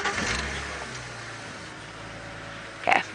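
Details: Low vehicle engine drone during a safari drive at sunrise, ending with a brief louder scrape or voice burst; no animal sound is heard.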